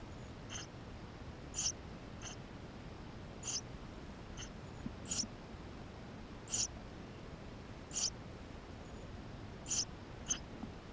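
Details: Nestling Eurasian tree sparrows inside their nest, recorded on a GoPro, utter a string of sharp high peeps, some louder and some softer, roughly every second in an irregular rhythm against steady low hiss.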